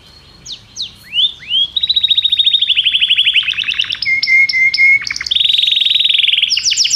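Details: Varied song of a Belgian canary: a few upswept notes, a long rapid rattling trill, sharp clicks, a steady high whistle, then a dense buzzy trill.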